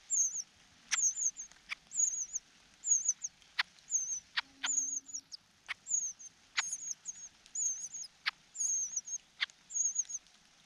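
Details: Cuckoo chick being fed by its foster parent, unable to swallow the food so the parent eats it; thin, high, slurred calls repeated about every half second to second, mixed with sharp clicks and a brief low hum.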